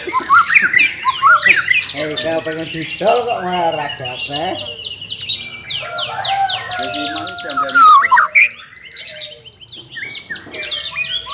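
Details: Dense white-rumped shama song for training a bird that will not sing: rapid trills, buzzy rattles and high sweeping notes overlap, with a steady whistled tone and a louder whistled burst near the end.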